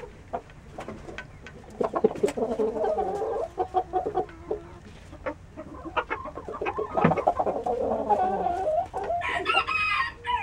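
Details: Saigon Green Legged rooster, a green-footed breed, crowing in two drawn-out harmonic bursts, one early and one late, with sharp clicks and knocks scattered throughout and low background rumble.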